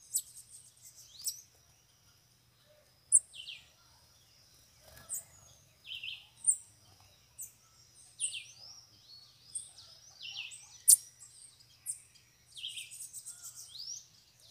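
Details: Many free bananaquits come to a cage during a bird-catching outing. Scattered short, very high, thin sweeping notes and chips repeat irregularly from several birds, with quiet gaps between them.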